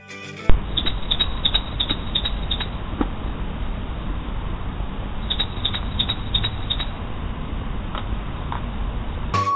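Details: An Ashy prinia in Sri Lanka gives two bursts of about seven quick, high, dry ticking notes, then a few scattered notes, over steady low rumbling and faint music.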